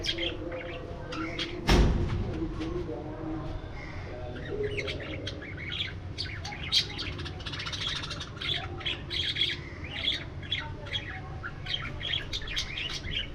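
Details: Flying and playing budgerigars in an aviary produce a dense, continuous chatter of bright chirps and warbled squawks, with a single loud knock near two seconds and a steady low background drone.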